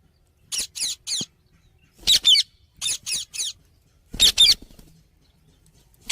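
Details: Indian ringneck parakeet, playing with friends: harsh, raspy screeches given in quick clusters of two or three, about ten in all over six seconds, separated by short silences; no words are clear.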